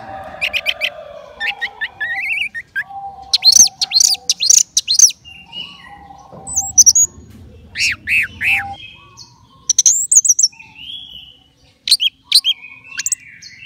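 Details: Contest-ready orange-headed thrush kept in a cage, delivering scattered bursts of high chirps, quick up-slurred whistles and clipped notes spread over several seconds, with soft background rumble and gaps of quiet.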